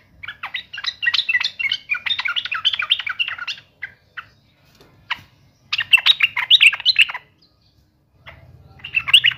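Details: Excited yellow-vented bulbul song aimed at a rival: a sustained three-second stream of rapid, chattering, warbling notes, scattered single notes, another bubbly burst, then a faint low hum under a final phrase.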